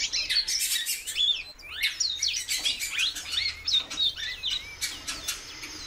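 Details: Captive female great-billed seed-finch calling persistently, giving a quick run of bright slurred whistled notes, many dropping in pitch, packed closely together with scattered clicks in the background.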